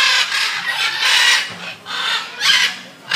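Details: Macaws at Safari World in Bangkok, letting out loud, harsh, broadband screeches in bursts roughly every second, overlapping one another in a noisy chorus.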